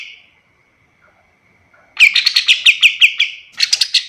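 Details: Pied triller singing, recorded to train other birds: a faint thin note is followed by a rapid burst of chirpy, repeated notes, then a short pause and a second quick flurry.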